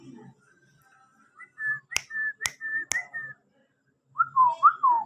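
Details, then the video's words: A hand-tamed, whistle-trained rose-ringed parakeet chick gives a run of steady mid-pitched whistled notes broken by three sharp clicks, then a pair of swooping rise-and-fall whistles; faint room hum. "Ringneck parrot vistle trained"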